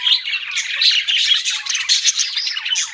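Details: Budgerigars chirping: dense, continuous chattering warble of overlapping squeaky notes and short whistles, with brief higher squeaks near the end; no other sounds.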